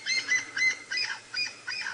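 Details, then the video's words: Francolin alarm calling just ahead of a game drive vehicle at sunrise in Djuma Game Reserve, Sabi Sand, South Africa, 28 April 2018, possibly at a predator: harsh, scratchy notes repeated about three times a second. "Got some birds, alarm calling just ahead of us as well."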